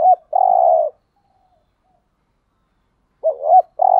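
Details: Spotted dove, a decoy bird's lure call used to draw wild doves into responding, made of mid-pitched coos: a short hooked note then a long, burry, steady coo, a pause of over two seconds, then the phrase starting again.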